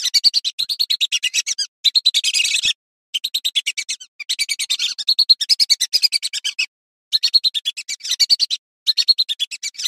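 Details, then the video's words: Clear calling of a female lesser whistling duck, with quick strings of shrill, clipped notes in bursts lasting one to two seconds and short silent breaks between them, with no background noise. "Burung Blibis betina saung_suara jernih"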